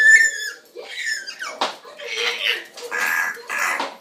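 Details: Male African grey parrot at home, recorded at a distance, opens with a clear high whistle sliding down, then a burst of harsh raspy squawks repeated roughly every half second.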